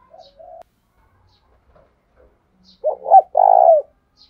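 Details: Decoy spotted dove, cooing to lure wild doves: soft low notes at first, then near the end a pair of quick rising-falling coos and a long purring coo.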